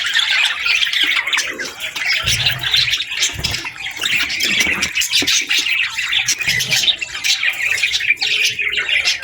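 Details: Several budgerigars calling together in the afternoon, a lively mix of chirps, buzzy squawks and warbling twitters, with occasional soft low bumps.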